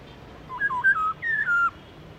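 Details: Short phrase from a Black-throated laughingthrush's wild-style song: a quick sequence of five soft, level and stepped whistled notes, rising and falling in turn.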